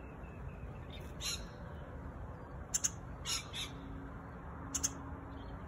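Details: Singing honeyeater giving harsh, scratchy broadband calls in short bursts, several doubled notes spaced a second or two apart, over a steady low rumble of wind or distant traffic.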